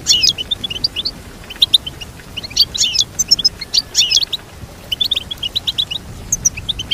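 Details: Singing goldfinch giving lively bursts of jumbled high twitters and chirps, separated by short pauses, with a clean, quiet background.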